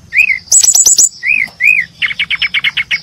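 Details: Brown-chested jungle flycatcher chirping: arched whistles, a burst of high rattling notes, two more arched whistles, then a fast even series of about ten short chips.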